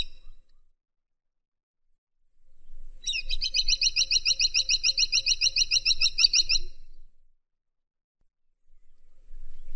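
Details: Freckle-breasted woodpecker calling: a fast rattling series of sharp, high notes for about four seconds, with faint low background noise before and after.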